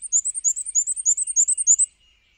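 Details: A Black-and-white warbler flying from perch to perch in patchy sunlight sings its squeaky-wheel song: a very high, thin series of paired notes, wee-see wee-see, repeated quickly for about two seconds, then stopping.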